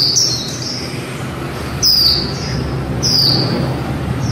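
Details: High, piercing descending whistles from a female white-eye singing líu, three clear notes at irregular intervals, over a low rumbling hum.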